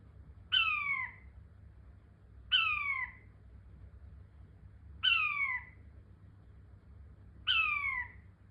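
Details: King quail calling four times in a slow, steady series, a sharp whistled note falling in pitch roughly every two and a half seconds, against a faint low hum.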